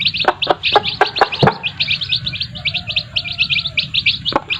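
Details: Chicks and their mothers: rapid, bright high cheeps repeated many times a second, with a cluster of sharp taps or clucks in the first second and a half and a low steady hum underneath.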